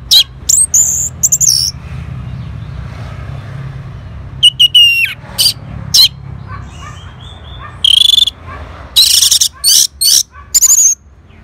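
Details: Orange-headed thrush, known locally as anis merah, in North Bali reacting to a lure: scattered bright whistles and sharp high notes separated by quiet gaps, ending in a cluster of loud buzzy bursts and a clear slurred whistle.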